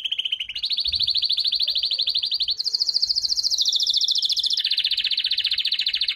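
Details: Singing canary delivering long rapid trills that shift in pitch, a steady mid-high roll jumping higher partway through, then dropping to a broader, lower buzzing trill.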